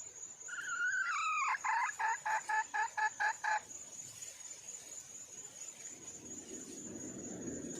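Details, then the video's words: Calling wild junglefowl hen looking for a male: a wavering drawn note breaks into about eight quick doubled clucks, then the call stops, leaving a high insect whine and low rustling background. "le bruit d'une poule sauvage,เสียงไก่ป่าร้องหาถู่หาตัวผู้,ສຽງໄກ່ປ່າຮ້ອງຫາຄູ່ຮັກ, poj qaib qus see"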